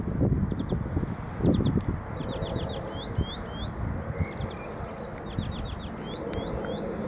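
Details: A common redshank (Tringa totanus) calls at Valkenburgse Meer, the Netherlands, in April 2017, giving quick runs of high, piping whistled notes, three to five a burst, some slurred upward, over heavy wind rumble.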